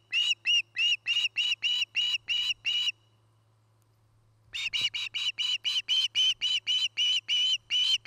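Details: An osprey calls from its nest near Charlo, Montana, captured by a nest cam on 09-08-2018: a rapid burst of shrill whistled chirps, a gap of about two seconds, then a second longer fast series.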